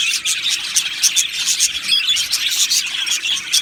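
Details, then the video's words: Budgerigars of an Australian budgie colony in an aviary, singing and chirping together: a dense, continuous mesh of high twittering chirps and warbles with rapid, overlapping notes and no pauses. "Beautiful Budgies Birds Singing and Chirping Sounds"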